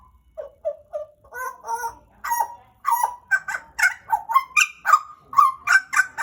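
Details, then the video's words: Pied butcherbird kept in captivity for about two years, described as a Papua Indonesian endemic, starting with soft short whistles and building into a loud, fast sequence of ringing, mixed whistled notes. "JAGAL PAPUA GACOR, Cracticus Nigrogularis Papua Indonesian endemic Bird"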